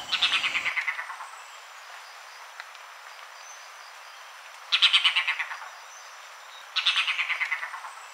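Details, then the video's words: Red-bearded bee-eater (Nyctyornis amictus) giving three rapid, stuttering chatters, each about a second long and falling slightly in pitch, against a quiet background. "Red bearded beeeater listening to call sound"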